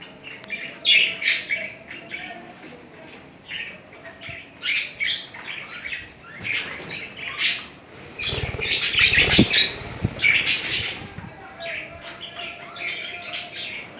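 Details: Budgerigar pair during mating and romantic courtship, with irregular bursts of buzzy, grating chatter and warbling, plus a stretch of fluttering wing beats in the middle.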